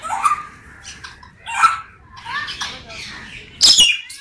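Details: Parrot calling with a mix of speech-like chattering phrases and rising whistled notes, ending in a loud harsh screech.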